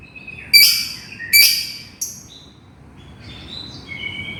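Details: Calling to its companion, a lovebird gives two loud, harsh high screeches and a shorter chip, followed by quieter thin whistled notes at varied pitches.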